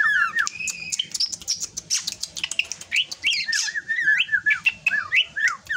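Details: Maturing young drongo in a lively run of whistled phrases, with wavering up-and-down notes mixed with sharp clicks and higher chirps, delivered almost without pause.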